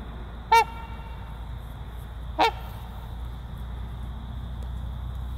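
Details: Two bright, trumpet-like honks from a trumpeter swan breeding pair, nearly two seconds apart, the second softer, followed by several seconds of low rumbling background noise.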